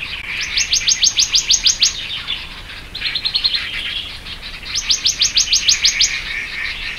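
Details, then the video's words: Black-naped monarch (subspecies Hypothymis azurea oberholseri) gives three quick bursts of sharp, high, ringing notes, about a dozen to a burst, with a quieter note run between them. "黑枕藍鶲/Black-naped Monarch"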